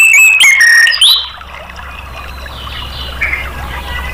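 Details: Orange-headed thrush singing to prompt caged birds into song, with a quick run of bright whistled notes, some sliding downward, in the first second, then fading to faint distant warbling over a steady low hum.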